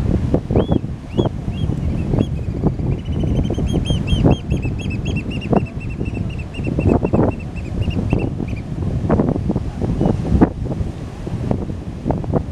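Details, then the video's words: A black oystercatcher on the reef rocks at La Jolla, near harbor seals, gives loud, piercing whistled peeps, a few spaced notes then a fast excited run, over heavy rumbling surf and wind. "Black Oystercatcher Calling to Another Oystercatcher"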